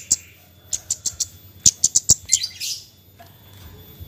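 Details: Javan white-eye giving nyecret calls, used to prompt lazy birds to sing: a few spaced high chips, then a quick run of five sharp notes ending in a brief hissing rasp, followed by near silence.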